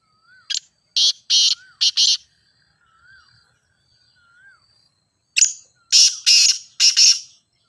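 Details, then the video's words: Grey francolin, known as teetar, calling for use in training captive birds: two runs of loud, harsh, rasping bursts in quick pairs, separated by a quiet gap with faint wavering whistles from another bird. "Teetar Voice for Calling"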